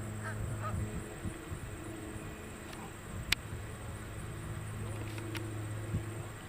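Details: Distant Canada geese heard over newly flooded ground give scattered nasal honks over a steady low rumble of wind and background noise.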